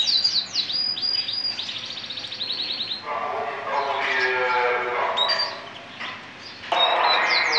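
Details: Male Gibber canary, hunched breed, singing a run of rapid repeated rising whistled notes for about three seconds. A man then talks over softer song.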